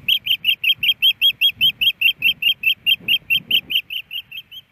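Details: Osprey in flight over its nest at night at Hellgate Canyon, Missoula, Montana, on April 29; a rapid series of high, piercing chirped whistles repeated about two and a half times per second, steady throughout, with faint low rumble beneath.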